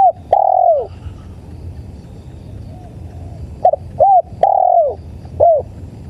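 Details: Spotted dove (tekukur) cooing, a recording used as playback for luring birds: mellow mid-pitched coo notes, a short note then a longer drawn one, a pause of about three seconds, then clustered short and long coos over a low steady hum.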